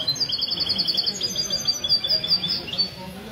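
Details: Goldfinch mule (mesto), Sunday morning café gathering in Ksar el-Kebir, 16 February 2020. A continuous run of quick, high, sparkling twitters and trills, with faint voices in the room behind.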